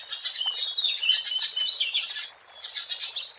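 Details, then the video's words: Energetic song of a wild Oriental magpie-robin, recorded as a lure: continuous high warbling with rapid chirps and whistled twists, barely pausing. "SUARA ASLI BURUNG KACER GACOR BUAT PANCINGAN DAN PIKATAN MP3 DI ALAM LIAR"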